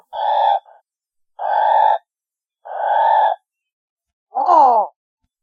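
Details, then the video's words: Coastal pelican uttering three even, hoarse groaning calls roughly a second apart, then a final wavering, falling grunt; no other sounds. "SOM DO PELICANO"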